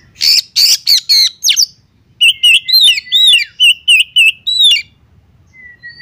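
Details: Oriental magpie-robin female calling to a male, giving raspy, explosive bursts followed by a rapid run of repeated, bouncy, chattering whistled notes, ending with a thin high whistle.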